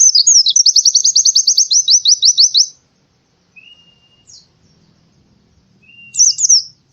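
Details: Morning song of an Oriental white-eye: a fast, even run of high, thin notes lasting nearly three seconds. A pause follows, broken by a soft whistle, then a short closing twitter.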